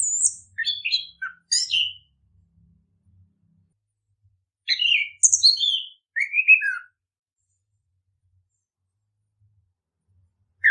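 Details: Orange-headed thrush song used to stimulate singing in birds: two short bursts of quick, sharp, descending notes mixed with higher squeaky ones, followed by a long silence.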